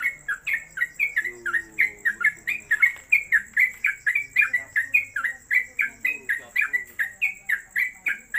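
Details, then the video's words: Caged Sooty-headed Bulbul, a newcomer bird described as suited for tutoring other birds, singing at home on a hanging pole; rapid repeated chattering, slurred notes about three per second throughout, with a steady high tone and faint low voices behind. "Trucuk Konslet Kemedol Berdurasi"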